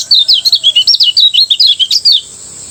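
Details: Lemon-bellied white-eye from Lombok, morning ngejos song meant to make other birds join in. A lively burst of rapid, high, zigzagging whistled chirps for about two seconds, then quiet.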